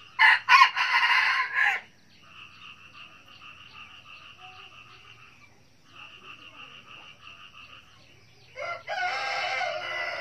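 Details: Wild red junglefowl in Cà Mau, Vietnam, crowing: two loud, harsh, clipped crows about eight seconds apart, with a softer, rapid, pulsing chatter between them.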